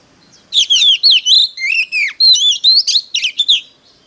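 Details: Oriental magpie-robin singing competitively as a lure bird: a dense, fast sequence of rich whistles and warbles. Several phrases slide downward and others twist upward, with no other sound.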